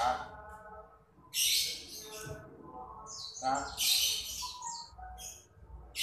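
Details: Harsh, broad, screechy squawks from a young Nias hill myna native to Nias come in two main bursts with short trailing notes, over a low background murmur that may be voices.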